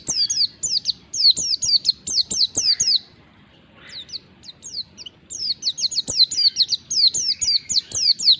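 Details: Oriental white-eye (pleci ngalas) lure song that other white-eyes respond to: dense bursts of high, thin slurred notes, a short lull with scattered chips, then a long rapid rolling sequence.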